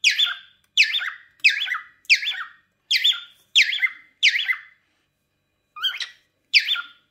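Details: A pet cockatiel (Nymphicus hollandicus) in a kitchen during everyday activity gives a run of sharp, descending squawky calls, each swooping down in pitch.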